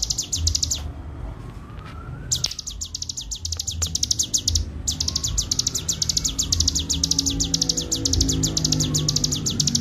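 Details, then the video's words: Bar-winged prinia in a ngebren-style training master: bursts of rapid, high chirping broken by two short pauses, while a fainter whistle glides up and down in the background. "masteran cigun ful ngebren gacor suara jernih"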